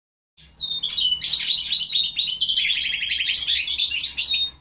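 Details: Goldfinch × linnet hybrid singing a dense, fast twittering song of bright chirps and trills, mostly high-pitched, running almost continuously after a brief silent start.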